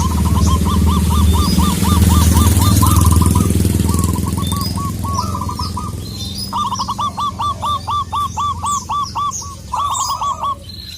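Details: Local wild zebra dove, a perkutut lokal, calling a rival: rapid series of short, evenly repeated staccato coos, about four per second, in bursts. A loud low rumble fills the first half, and faint higher chirps sound above.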